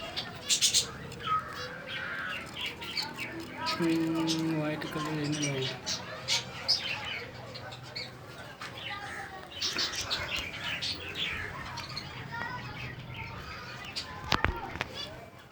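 Budgerigars chatter with quick chirps, warbles and scratchy squawks, all overlapping in a busy jumble.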